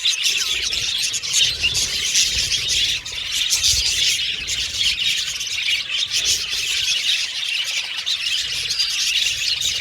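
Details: Crowded aviary of budgerigars producing dense, scratchy chatter and high chirps, briefly dipping near the middle before the flock chorus resumes.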